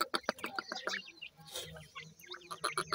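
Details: Farm-kept grey francolin chicks, called teetar, calling for their mother: quick high chirps and short rising and falling peeps, densely repeated, with clicks and rustling handling noise throughout.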